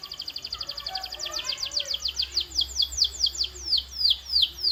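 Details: High downward-sweeping canary notes repeated about three times a second, slowing slightly as they go, sung as a training sound to make birds sing.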